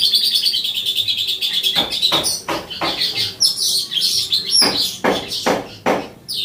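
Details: Streaked weavers (Ploceus manyar) singing and chirping: dense high, buzzy chattering notes run together continuously, mixed with sharp clicking and knocking sounds throughout.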